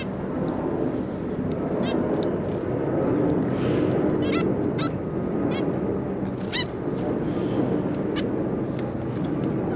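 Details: Recorded 26 May 2022, a zebra finch pair and their three juveniles give sparse, irregular short nasal calls, one or two at a time, above a loud steady background noise.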